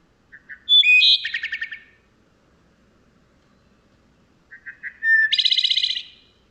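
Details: Wood Thrush song from an archival library recording: two phrases about three seconds apart. Each opens with soft low introductory notes, rises into clear fluted tones, and ends in a rapid ringing trill.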